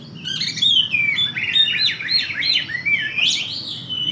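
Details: Oriental magpie-robin (kacer) song used as a lure for other birds, a dense, continuous stream of quick whistles, trills and chattering notes, loud and varied throughout, with a faint low hum underneath.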